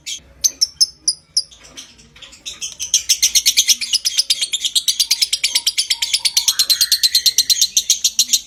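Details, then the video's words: Lovebird ngekek trill to stimulate breeding condition, starting with a few separate sharp chirps, then swelling into a long fast raspy chatter with a rising whine near the end. "Suara Masteran Burung LOVEBIRD Konslet Ngekek PANJANG Merangsang Birahi"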